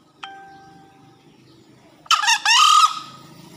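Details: Vigorous crow of a green junglefowl after a heavy downpour. A brief ringing tone and a low hum come first, then a two-part rasping call: a clipped opening note and a drawn-out, strained tail.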